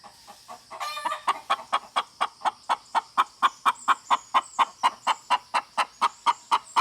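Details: Soft, quiet clucks from a hen, then a short noisy burst, followed by a steady, evenly spaced stream of louder clucks, about three to four per second.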